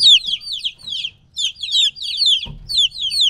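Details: Chicks of a domestic chicken, roughly three weeks old and separated from the hen, give clear high peeps that slide downward, several birds calling in quick overlapping runs, with a brief low thump near the end.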